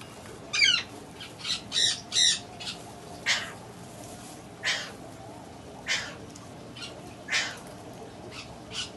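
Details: Tame baby Buffon's macaw kept as a pet: a series of harsh, raspy squawks, several grouped early then spaced every second or two, some with rapid pulsed texture, over a quiet indoor background.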